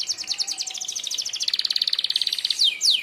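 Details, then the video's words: Sharp 'tembakan' song of a Merlok canary, used to train other birds: a steady, very rapid high trill of repeated notes for two and a half seconds, ending with two sweeping downslurred whistles. "tembakan tajam kenari merlok, sangat ampuh buat pemasteran burung anda"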